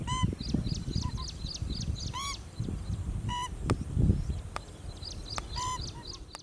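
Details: Pheasant-tailed jacana foraging in a lake gives arched, nasal harmonic calls at irregular intervals, about four across the stretch, among soft high twittering, a few sharp clicks and steady low background rumble.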